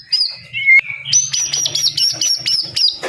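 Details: White-rumped shama, murai batu, singing: a few lower whistles, then a high sustained tone cut by rapid sharp clicks, with a faint low hum behind.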